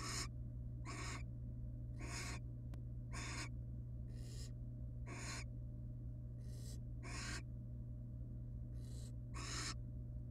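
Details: Barn owl family in a wild nest box, mother and father alongside babies; a run of about a dozen breathy, hissing rasps, short and unevenly spaced, with faint lower-level bursts and background mains hum.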